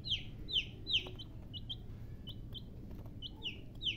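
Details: Baby chickens chirping: clear, high, downward-sliding peeps in quick bursts of two or three, with louder notes near the start and end, over a low background rumble.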